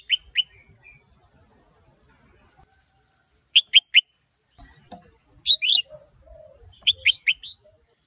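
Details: Red-whiskered bulbul male fired up by a female: two quick whistles, a gap, then three crisp notes, a rolling slurred pair and a closing four-note run of bright whistles, styles called 'sổ bọng' and 'ché'.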